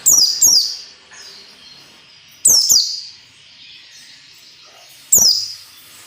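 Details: White-eye singing in the 'ngalas nembak' style as training material for caged birds: paired shrill, descending whistles, then a pair and a single note at intervals of about 2.5 seconds.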